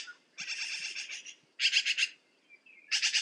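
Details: Black-billed magpie calling in three harsh chattering bursts, each a fast string of grating, rasping notes, the first longest, separated by brief quiet gaps with a faint thin note.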